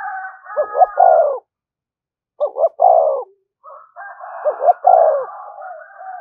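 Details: Spotted dove calling to provoke other doves: three coo phrases, each a quick double note and a sustained throaty coo. Higher whistled tones run alongside the first and last phrases.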